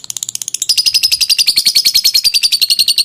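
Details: Lovebird's extended 'ngekek' trill, a training sound: begins with sharp separate high chips, then swells into a dense, loud, fast chattering trill that holds steady to the end.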